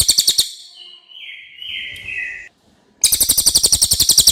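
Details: Common iora with a clear voice, suited as tutor song for training songbirds: a brief rapid rattle, then a thin steady whistle wavering slightly in pitch, a pause, and a long rattling trill of quick repeated notes.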